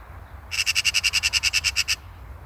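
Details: Harsh machine-gun chatter from a Eurasian magpie (Pica pica), around fourteen grating notes delivered at a steady fast pace for roughly one and a half seconds, with faint low-pitched background noise.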